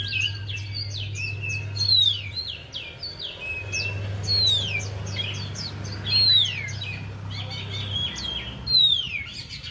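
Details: Javan white-eye lure song for a bird that will not sing: high twittering phrases, each capped by a bright descending whistle, recurring about every two seconds, over a low electrical hum.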